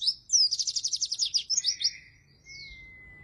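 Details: Oriental white-eye in vigorous song, used to lure and coach white-eyes that rarely sing: a rapid high trill of about a dozen notes with a lower buzzy tail, then a long, steady whistle.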